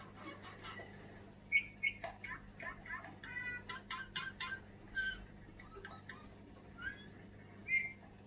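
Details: Tame caged Eurasian bullfinch that sings all day long gives a quiet song of soft, piping whistles mixed with creaky, scratchy notes in short irregular bursts, over a steady low hum.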